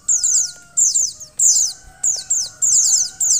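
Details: A female mountain white-eye calls to prompt a male to sing, giving clustered high, squeaky downward-sliding chirps in five or six bursts, each burst holding several fast notes; faint whining tones underneath.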